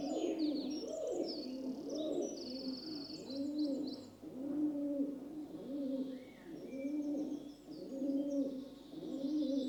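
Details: Peaceful cooing of a rock dove (pigeon): a steady series of low, bubbling coos repeating roughly once a second, over a background of high, busy chirping from other birds and a faint low hum.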